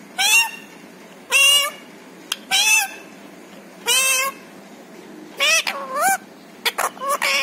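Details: Pet parrot that says words such as papa and mummy; loud nasal, speech-like syllables with rising tones, repeated about every second, then a faster cluster at the end.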